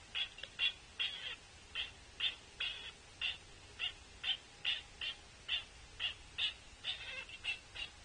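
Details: A juvenile Pileated Woodpecker following an adult female to a feeding station at Cornell, 7 August 2023, begs hoarsely for food with a rapid series of short, high, squeaky notes, roughly two or three a second, against a faint steady hum.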